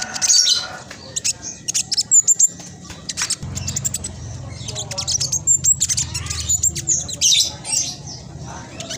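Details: Spotted black sunbird singing hard as a lure for birds too lazy to sing: scattered high, sharp chips and squeaky bursts, uneven in rhythm, over a low background hum.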